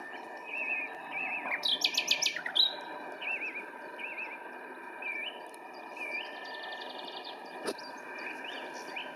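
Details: Common nightingale singing on 26 April 2017 at RSPB Pulborough Brooks: a rapid buzzy burst of stacked repeated notes, then a run of varied whistled, wavering phrases with pauses between them, over a low steady background hiss.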